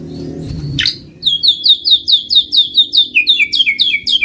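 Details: White-rumped shama song played as a bird lure: after a brief sharp note, a rapid run of clear high two-part whistled notes repeated about twice a second, steady and ringing, over faint low background noise.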